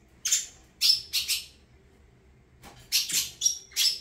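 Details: Saffron finch giving rough, buzzy chirped notes in two groups, several quick harsh syllables each, with a short silence in between.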